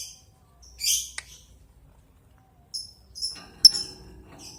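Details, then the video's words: Lovebird calling toward an opponent: a few thin, high squeaky notes and a short buzzy screech with long quiet gaps between them. "Suara Burung Lovebird Ngetik Panjang Memanggil Lawan Lanjut Ngekek Panjang"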